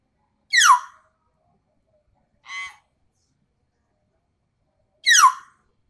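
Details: Young common hill myna learning sounds while being taught to talk: three harsh, descending squawks with a buzzy, nasal middle note, spaced about two seconds apart.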